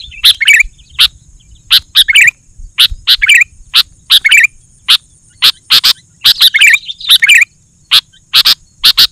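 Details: Sooty-headed bulbul song meant to make other bulbuls sing along: loud, crisp chirps at irregular intervals, several followed by short downslurred warbles, with a faint low rumble and a thin steady hiss.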